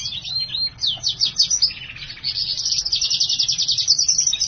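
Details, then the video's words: A Black-hooded siskin × house finch hybrid sings steadily and at full voice, a fast, high twittering warble of buzzy trills and sweeping notes that runs unbroken for the whole stretch. "HYBRID silangan black hooded siskin x house finch gacor"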